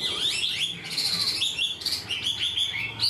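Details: Newly caught Chinese hwamei singing a full, structured song like a tame bird: loud, clear whistled notes sliding up and down in quick runs, broken by brief pauses.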